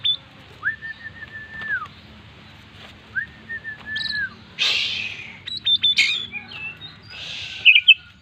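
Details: Oriental magpie-robin (kacer) in vigorous full-isian singing: long flat whistled notes held about a second each, separated by pauses, then short buzzy bursts and sharp high chips toward the end.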